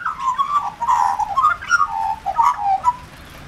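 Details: Wet Australian magpie, one of a regularly visiting pair, calling in the rain while asking for food; a rich warbling chortle of gurgling, rising and falling notes in a continuous run of about three seconds.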